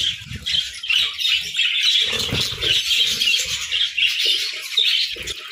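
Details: Chirping parakeets at morning, many voices blending into a steady high twitter, with frequent dull thuds and rustling sounds from below.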